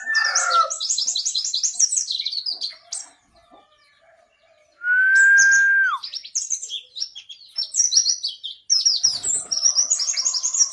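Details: Yellow-breasted white-eye from Pacitan in ngalas ngerol rolling song: fast high twittering runs, a pause, then a loud steady whistled tone held about a second and dropping at its end, followed by more rapid chirping phrases.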